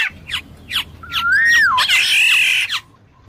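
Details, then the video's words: Black-naped oriole giving a series of harsh, descending nasal notes, then a clear fluted whistle that rises and falls, ending in a burst of rasping, buzzy sound and one last harsh note. "suara burung kepodang emas jernih"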